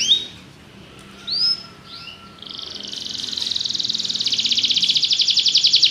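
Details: Belgian canary giving a few soft chirps and a whistle, then a rapid high trill building steadily in loudness.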